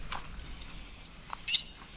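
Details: Eurasian coots at a pond in Adelaide Botanic Gardens, South Australia, give screeches; a single sharp, high, brief screech over faint outdoor background noise with a few softer chirps.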